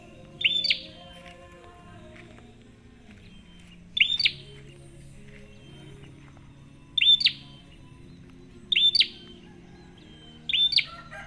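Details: Prenjak call used as a lure for other birds, five sharp high chirps, each a brief bright note with a falling tail, spaced roughly two seconds apart against quiet low background hum.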